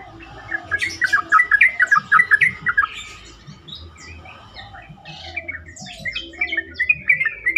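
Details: Yellow-vented bulbul song played to draw replies from other bulbuls: lively bubbly phrases of quick, liquid warbled notes in bursts, a short pause, then more chattering phrases, with faint low thumps in the background.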